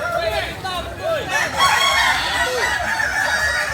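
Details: Kukuak Balenggek roosters of Solok, West Sumatra, crowing in a group: a series of short rising-and-falling arched calls at first, then loud overlapping crows swelling midway.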